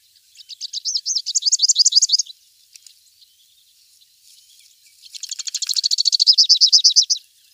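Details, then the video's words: Song of a Rufous-capped warbler (Basileuterus rufifrons): a rapid, high trill of looping, slurred notes, a silent gap of about three seconds, then a denser, buzzier trill that swells in volume. "O canto do Pula pula de capuz vermelho ( Basileuterus rufifrons )"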